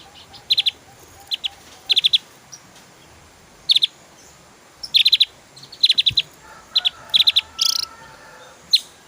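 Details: Javan grey-throated white-eye in lively 'tembakan' (rapid-fire) singing, used as a tutor recording for cage birds: clusters of sharp, high chirps fired in quick bursts of two to five notes, spaced irregularly over a quiet background.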